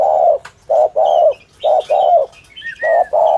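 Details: Spotted dove cooing in the 'thổ thúc gù' style used by dove trappers as a lure: deep, rounded coo notes in pairs with short gaps, while small birds twitter faintly higher up.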